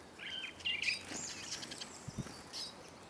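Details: Eurasian siskins feeding in numbers at a bird table in Kolmården, Sweden, recorded from a camera on the ground below: short rising-falling whistled calls near the start, then fainter chirps and a few low thuds.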